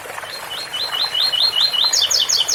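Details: Double-collared seedeater singing in the ouro fino 8x4 - 7x4 style: a fast series of repeated slurred notes about five per second, rising then falling, ending in sharper higher strokes, over the steady splashing of a water fountain.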